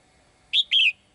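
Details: A single high two-note phrase from a caged female bird calling the male: a quick bright chirp followed by a slightly longer, sliding whistled note.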